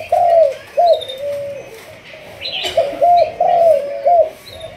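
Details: Spotted dove, Malaysian 'thúc gù' line, being trained as a decoy. It gives a loud drawn coo, then short arched notes trailing off. The cooing resumes in a quick run of three or four notes while other birds chirp high above.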